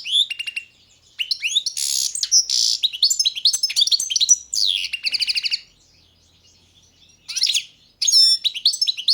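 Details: Song of a Balkan goldfinch, Carduelis carduelis balcanica, recorded for the 2022 online World Championship in Goldfinch Song: long rambling phrases of tinkling twitters, buzzy notes and quick trills, broken by two brief silences.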